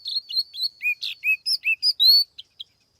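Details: Lure-bird tiểu mi laughingthrush in a quick burst of song: sharp high chirps followed by alternating lower whistled slurs and bright clear notes, ending in two short clicks, all against a silent background.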